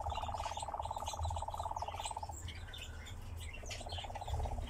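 A nightjar gives a long, even, mechanical churring trill that pauses and then resumes, over low wind rumble with faint chirps from other birds.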